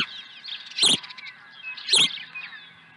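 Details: Osprey at a Dunrovin Ranch nest, 23 April 2020, swooping in with a second fish. Two loud, piercing, high chirps about one second apart, with faint thin whistles from other birds behind them.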